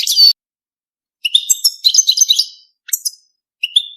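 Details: European goldfinch song during mating: a loud opening chirp, then a tumbling sequence of tinkling twitters and short trills, ending with a thin whistled note after a pause.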